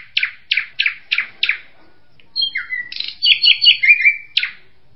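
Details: Drongo gives five harsh rasping notes about a third of a second apart, then high whistles, a falling slur and a fast buzzy chatter.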